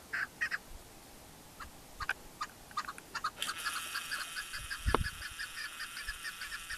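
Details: Keklik or chukar partridge in Tajikistan's Pamir mountains, 2021: scattered chucking notes, then a rhythmic calling series partly masked by a sudden hiss of wind or water and a thump.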